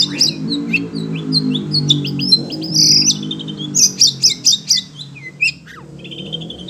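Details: Oriental magpie-robin (kacer) in a cage, agitated by other birds, sings rapid high chips and whistles over a low humming background, ending in a short buzzy note series.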